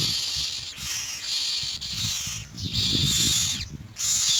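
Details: Myna chicks beg while adults arrive with white pellets of food. Continuous harsh, wheezy screeching comes in surges of about one second, with short pauses between and soft low rumbling underneath.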